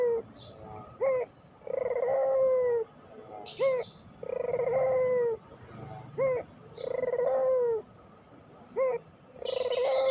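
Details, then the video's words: Puter pelung dove coos for training recordings: pairs of quick rising notes alternate with long, flat, slightly falling coos, in a regular cycle about every two and a half seconds, with faint higher rustles. "masteran puter pelung, 100% AMPUH pikat PUTER MALES BUNYI JADI GACOR MANGGUNG, PANCINGAN PUTER"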